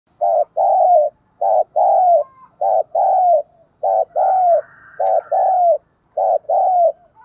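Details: Decoy spotted dove urged to coo and call its full song to lure wild doves: bursts of mellow, hoarse coos near one pitch, grouped in short and long notes and repeated about once a second, with a faint higher whine mid-clip.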